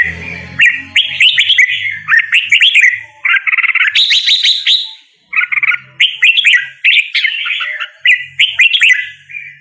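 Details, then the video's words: Red-whiskered bulbul song, made of rapid chattering phrases of warbled, bubbly notes in steady runs. Sharper high twitters break in briefly, over a soft low rumble at times. "Red whiskered Bulbul Singing Call Sound | Red whiskered Bulbul Bird Singing"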